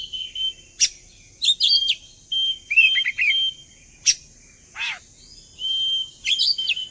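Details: Oriental magpie-robin song used as a sing-along lure: sharp chirps, short whistled phrases and quick slurred notes, one harsh rasp near the middle, and a long flat whistle before closing chirps, over a steady hiss.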